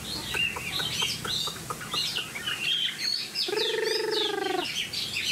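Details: Cage-kept Chinese hwamei giving rapid, varied whistled phrases and sharp chirps, interrupted midway by a low, nasal, buzzy call of about one second, then more quick song notes over steady background noise.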